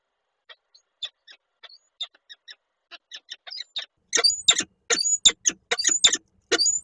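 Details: Peregrine falcons at a nest box in Koszalin, Poland, 1 April 2023: the male arrives with food, the female refuses it, and he eats some and stores the rest. A series of sharp calls starts soft, then turns loud and harsh from about four seconds, several per second.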